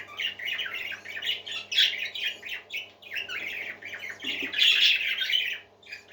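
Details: Parakeets chattering together in a small room, a dense flock of squawky, warbling notes between about 2 and 4 kilohertz-range pitch, swelling and fading in waves with a faint steady hum underneath.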